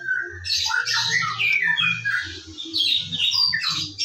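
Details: White-rumped shama in the morning, given as a lure recording to spur birds into lively singing: a rich, fast medley of whistles, trills and harsh chattering notes, with a low, pulsing hum underneath.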